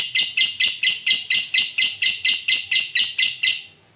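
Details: Lovebird giving a long ngekek call: a rapid run of about fourteen harsh, buzzy chattering bursts, each roughly a quarter second, evenly repeated before fading out.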